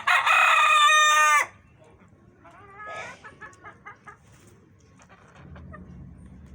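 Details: A farmyard rooster kept with hens opens with a very loud, raspy crow of over a second, followed by a string of short, rhythmic clucks from the flock.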